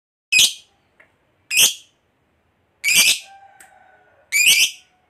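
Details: Caged lovebird giving four short, shrill, rasping squawks at irregular gaps, with a faint whistle-like tone briefly trailing after the third.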